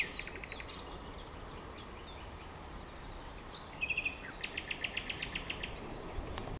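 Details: Birds in a Romanian garden grove on 30 April 2011 in spring: soft high chirps early, then a clear run of evenly spaced ticking trill notes, fairly faint over steady background hiss.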